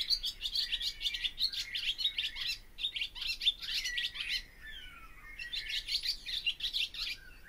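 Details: Barn swallow song: fast twittering chatter of scratchy chirps and buzzy notes, with a few descending whistled slurs, running almost continuously with a short pause near the middle.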